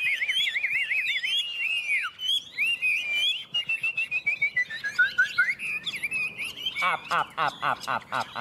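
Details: Two Chinese hwameis in a singing contest: loud, rich whistled phrases that loop up and down, then a long sliding whistle falling in pitch, and ending in quick repeated chattering notes.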